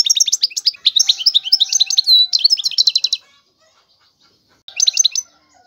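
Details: Lively European goldfinch phrase of high tinkling and slurred whistled notes lasting about three seconds, followed by silence and a short burst of twittering.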